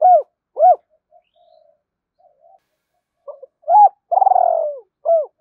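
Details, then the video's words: Spotted dove coo used to stimulate other doves: two short arched hoots, a pause with faint soft murmurs, then a phrase of quick notes, a long buzzy descending coo and a final rounded hoot. "tiếng cu gáy kích bổi mỗi ngày"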